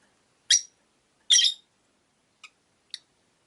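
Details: Rosy-faced lovebirds, five kept in a window-side cage, give two loud rasping high chirps a second apart, followed by two short, thin, softer chirps.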